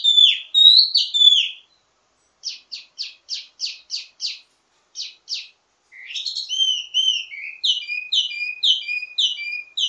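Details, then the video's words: Teasing ledekan song from a wambi mini, full of variations for tutoring birds of the same kind: slurred whistles, a measured series of short clipped notes, then quick repeated high whistled phrases. "Ledekan Wambi mini Full Gacor Banyak Vareasi"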